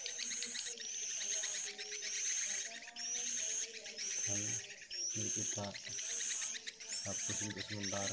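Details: High sweeping whistled notes repeat about once a second over steady chirping in an edited edible-nest swiftlet track that combines colony calls with mating calls, while a man talks softly beneath and brief buzzy bursts cut in.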